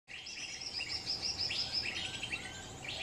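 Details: A wild lesser green leafbird in Central Kalimantan gives a quick stream of bright, high chirps and twittering notes, about three per second, over a soft background hiss.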